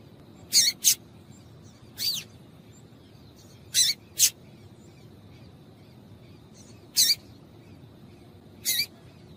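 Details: Female papa-capim (yellow-bellied seedeater) call aimed at getting males singing: scattered high chips, some in quick pairs, others single, with several seconds of quiet between groups.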